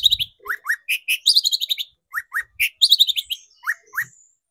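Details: Lively long-tailed shrike song used to lure shrikes into singing. Upslurred whistles alternate with quick twittering runs of high chips in a varied, energetic phrase.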